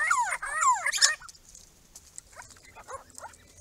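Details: Grey-crowned babblers visiting a pond made for them on a property: two loud down-slurred squeals and a harsh burst in the first second, then fainter scattered squeaks and chatter.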